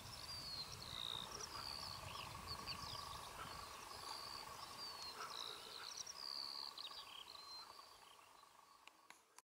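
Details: Skylarks on a very hot day, perched low on poles overlooking their territory instead of flying high: a high, fast, warbling song of thin whistles and chirps runs almost unbroken over a steady mid-pitched hum, likely insects, and low wind rumble.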